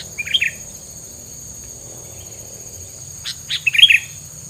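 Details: Filler isian bird song meant to deter rival birds; a twittering phrase opens, a pause follows, then a louder run of chirps and warbled notes, all over a steady insect drone.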